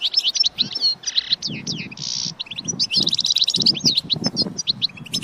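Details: European goldfinch singing, used to stimulate other goldfinches to sing and mate: varied twitters, slurred whistles and a buzzy note near two seconds, with low thumping or knocking sounds underneath.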